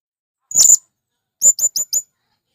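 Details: Male blue-crowned hanging parrot calling to draw in wild birds of its kind: one longer shrill, very high note, then a quick run of four thin, sharp chirps with downward-hooked ends.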